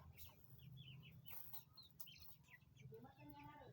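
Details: Nine 20-day-old chicken chicks, with short, faint high peeps scattered through the clip, some sliding downward, over a steady low rumble and occasional knocks.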